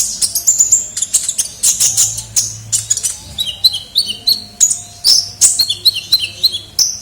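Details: Sunbird (kolibri ninja) lure call in full voice: steady stream of sharp, high twittering chirps and short downslurred whistles, repeated several times each second.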